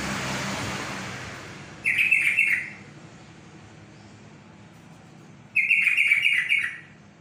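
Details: Yellow-vented bulbul singing, heard for relaxation. Two short, bubbly, gurgling phrases arrive about four seconds apart, with faint background hiss between them.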